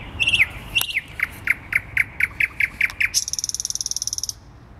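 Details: Thrush nightingale singing around 00:30 at night on 12 May 2020 in central Warsaw, Poland, perched about two metres overhead in dense branches of a small tree on the Palace of Culture square. Whistled phrase, then a dry series of evenly spaced clicks, ending in a fast high rattle.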